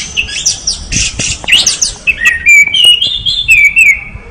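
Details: Lively gacor singing from an orange-headed thrush, opening with dense scratchy twitters and flowing into clear, wavering whistled runs that climb and fall in pitch.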